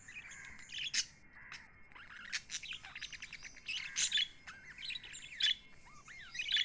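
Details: Lovebirds kept as pets chatter busily, with rapid high tweets, squeaky rising and falling notes and sharp chirps bunched together, loudest around the middle and near the end.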